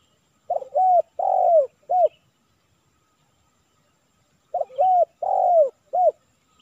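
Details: Spotted dove giving 'kuk 3' style cooing during decoy trapping in Silaban village, Lintong ni Huta: two phrases of three low, mellow coos, a short note, a long falling note, then a short final one, about four seconds apart.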